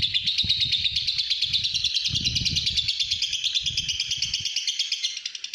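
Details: Pastel green fighter lovebird kept at home, delivering the long ngekek: a rapid, shrill pulsing chatter that runs without pause and fades a little at the end, over low rustling noises that stop partway through.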